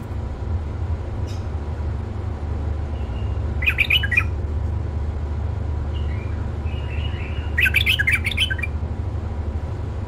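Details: Tame male bulbul giving two short bursts of rapid, rough chattering notes about four seconds apart, with soft whistled notes in between, over a steady low hum.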